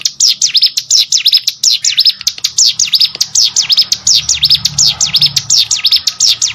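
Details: Prinia known locally as ciblek sawah, delivering a continuous train of bright, quick down-and-up chirps repeated without pause, shrill and evenly loud throughout.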